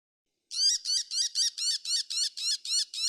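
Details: Brown shrike in Japan: a harsh, buzzy chattering call of about ten rasping notes delivered steadily at roughly four per second, each note dipping and rising, against a silent background.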